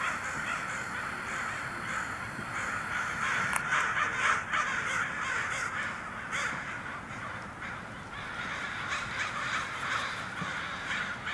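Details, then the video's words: Crows flying off with a dense chorus of overlapping hoarse caws from several birds, quieter and more distant, rapid and irregular throughout, over a steady outdoor background. "Crows CAWING FLYING Off"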